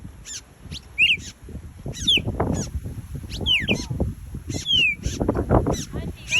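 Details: Red-crested cardinals in Hawaii give sharp, high chirps and quick slurred notes, several each second, over a steady low rumble of background noise.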